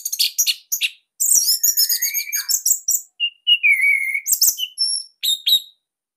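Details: Orange-headed thrush of the Bali type, a captive bird with a loud, tight song used as a master recording to coax other thrushes to sing: rapid high chirps and buzzy trills, then long whistled slurs, in dense varied phrases.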